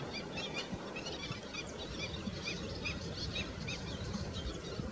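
Black-winged stilts give many overlapping sharp, yelping calls, a busy chorus of high notes over a steady low rumble of wind or water.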